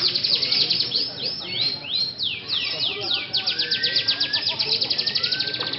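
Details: Atlantic canary in a night-time singing contest judged by stick points, delivering fast descending sweeps, rising whistles and a rapid trill repeated about four times a second, with low murmur behind.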